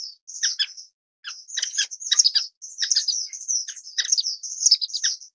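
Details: High, slightly buzzy chirps from an Orange-cheeked Waxbill (Estrilda melpoda), in short bursts separated by pauses, the longest just after the first second.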